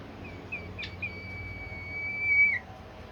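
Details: Bimoli bird whistling to prompt other birds to sing: a couple of faint short notes, a click, then a long sustained pure whistle that swells in loudness and drops away at the end, low hum beneath.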